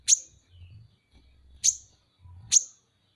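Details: Van Hasselt's sunbird, locally kolibri ninja, on a masteran training recording: three piercing, very high single chirps spaced about a second apart, with soft low thumps between them.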